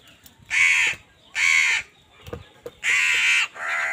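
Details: Crows competing with wild birds for food call in rasping caws: two strong calls, a short pause with faint knocks, then two more caws close together at the end.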